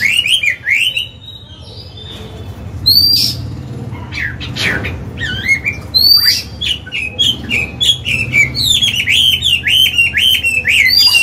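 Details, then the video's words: Singing Chinese hwamei, an old wild-caught bird used for training caged birds, begins with a few whistles, adds sharp upward-sweeping notes, then launches into a fast rolling series of looping whistles. "Họa mi già giọng cực hay, luyện bổi, kích trống hót hay"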